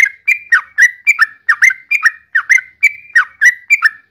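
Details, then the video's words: Yellow-vented bulbul song of rapid, repeated whistled phrases, each a short bright note dropping slightly, delivered about three or four per second without pause. "Suara Burung Trucukan"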